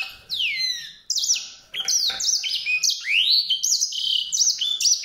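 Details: White-rumped seedeater singing a fast, high warbled phrase of sliding, swooping notes, with a long downward slur at the start and rising sweeps near the end.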